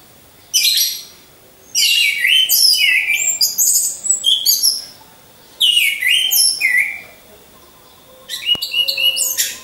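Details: Orange-headed thrush in a cage hung among others, singing lure song for training: four separate bursts of rich, fast, high cascading phrases with slurred downward notes, divided by pauses of about a second.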